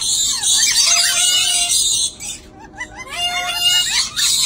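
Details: A pair of dusky lories: two seconds of continuous rasping screech, a short quiet spell with soft chattering notes, then nasal rising calls and renewed screeching.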